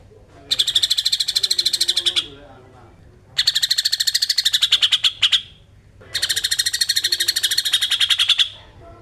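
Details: Greater green leafbird singing besetan style, used to provoke young birds in training; three long bursts of rapid, rattling, buzzy notes, each lasting about two seconds, separated by short pauses.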